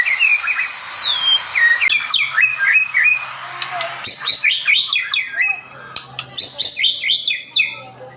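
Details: Energetic white-rumped shama (murai batu) song for training other birds: fast jumbled warbled phrases, then repeated rapid descending trills and sharp notes over a low background hum.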